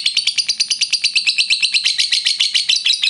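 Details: Lovebird giving a long ngekek trill to provoke rivals: rapid, rattling, high-pitched pulses in a continuous chatter, slightly uneven in rhythm, loud throughout.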